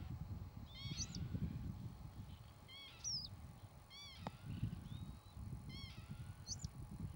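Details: Northern lapwing calling at intervals with nasal, arched, downslurred notes and a couple of shrill upward squeals, set against steady low wind rumble and one sharp knock midway.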